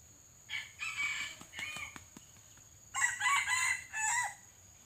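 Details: Red junglefowl decoy of a rare pale form with white legs, crowing to lure wild birds in a trapping practice session. Two short, harsh multi-part crows about two seconds apart, with sharp clicking taps between them.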